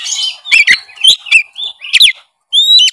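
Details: Oriental magpie-robin singing, aimed at coaxing a quiet bird: a short burst of harsh, scratchy notes and quick slurs, ending with a clear rising whistle.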